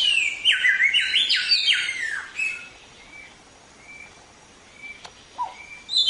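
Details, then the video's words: Samyong used as a training voice for songbirds, with a quick run of jagged, rising and falling squeaky notes, then quiet spaced whistles and a short descending note. "Suara Burung Samyong | Gacor"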